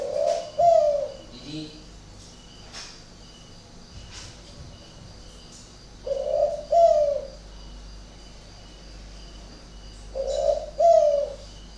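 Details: Spotted doves, two caged birds said to have unusual voices, at a bird garden in Ba Vì, Hanoi, northern Vietnam; low hollow coos in three short two-note phrases, near the start, at six and at ten seconds, with faint chirps between.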